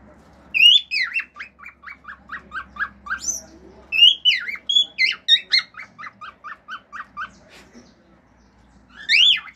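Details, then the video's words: Singing pet male cockatiel imitating other birds, wolf whistles and clicks: bright rising-and-falling whistles leading into rapid series of short descending notes, about ten per run, repeated twice, ending with a loud upward whistle. "CALOPSITA MACHO CANTANDO CANTOS NATURAIS, FIU-FIU, ESTALINHOS ENTRE OUTROS"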